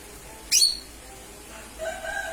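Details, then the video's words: Calling lesser green leafbird, used as a lure: a single sharp, harsh high squawk, then about a second of quiet and softer, lower drawn-out tones near the end. "Pancingan suara cucak ijo mini/ijo mini memanggil"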